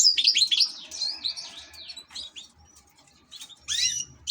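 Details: A European goldfinch kept as an ornamental bird opens with loud, fast twittering, then gives softer broken chirps before a short bright burst near the end.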